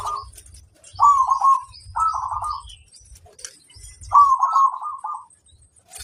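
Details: Perkutut, a local zebra dove, cooing as a lure to draw answers from other birds: three short, throaty, rolling trilled phrases, the last longest, with soft low knocking noises in between.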